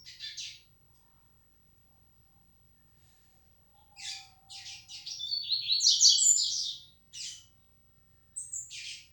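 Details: Yellow-bellied seedeater, coleiro baiano, flecha negra style: a brief buzzy note, a pause with a faint low tone, then a burst of rapid high chips running into sweeping whistles, ending in two short separate notes.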